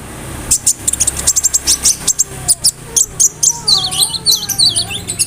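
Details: Kept konin singing a mimicry-rich song of cricket, brem, kamade and rambatan for tutoring other songbirds; fast rhythmic high chirps run into bright descending whistled notes.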